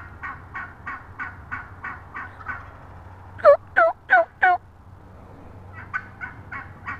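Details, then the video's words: Up-close female wild turkey, March 22, 2017, giving a steady run of soft repeated notes, then four loud, ringing slurred calls, then a few softer notes again. "Wild turkey hen up close"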